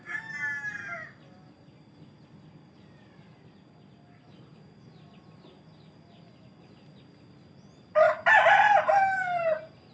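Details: Village rooster crowing. The tail of one crow fades at the start, then after a long quiet stretch a loud, raspy crow bursts in and slides downward. A constant high-pitched tone runs throughout.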